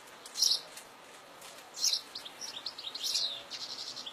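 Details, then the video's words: European goldfinch in wild fields giving loud sharp chirps about every second and a half, followed by a run of softer tinkling twitters. "Chardonneret à la nature"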